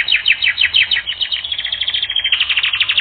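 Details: Canary singing on a training recording: a fast series of bright, downward-sweeping notes repeated about three times a second, then a smoother rolling trill, all fairly high and clear with little background noise.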